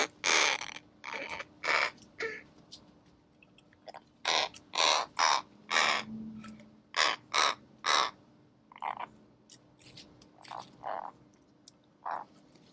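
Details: Several American crows at a seed bowl giving a busy run of harsh, overlapping caws, some loud and close, others fainter, in irregular bursts of two to four throughout, over a low steady hum.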